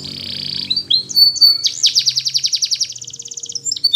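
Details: Canary training song, meant to teach canaries to sing: a steady high whistled tone, then quick sweeping notes and a long run of rapid, evenly pulsed trills that speed into a finer, faster roll at the end.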